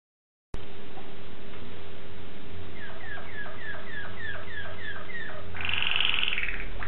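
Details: Waterslager canary song, a bird's performance examined phrase by phrase: a run of about eight repeated descending notes, then a brighter, fast trilling tour near the end, over a steady low hum.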